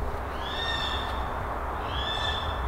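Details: Tawny owl in a forest full of fallen trees, possibly a female, thought to be a young bird alarming after being woken by loud people: two drawn-out, high, thin screeches about 1.5 seconds apart, over wind and handling noise.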